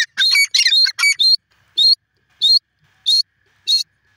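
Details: Grey francolin calling: a rapid burst of loud, harsh, strident notes, then single shrill notes repeated about every two-thirds of a second, on a quiet background.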